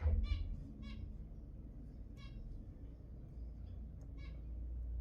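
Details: Zebra finches calling, with sounds used to encourage breeding. Brief nasal beeps with rich harmonics come singly at irregular intervals, separated by quiet gaps over a low background hum.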